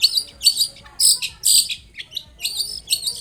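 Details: Lively long-tailed shrike song used to coax a quiet shrike into singing: short, loud clusters of harsh, high chirps in quick succession, separated by brief gaps, with faint lower notes between.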